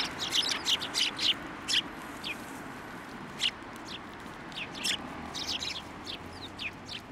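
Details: Sparrows at a Tenmangu shrine flying onto a hand to be fed, recorded on 16 December 2023; short high chirps scattered irregularly, about two a second, over low background rumble.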